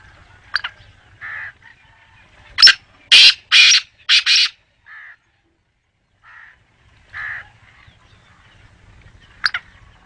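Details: Black francolin calling: a few soft nasal notes lead into a loud run of four or five harsh, grating, buzzy notes in quick succession, then scattered softer nasal notes and a sharp note near the end, over a quiet background.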